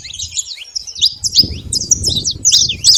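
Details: Saffron finch singing free in nature: bright, rapid chirped notes in quick slurred bursts, high and repeated almost three times a second, over a faint low rumble of background noise.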